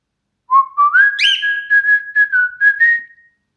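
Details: Cockatiel's whistled tune: short tonal notes rising in steps, a brief harsh squeak near the start, then even repeated notes closing on a drawn-out higher whistle. The background is silent.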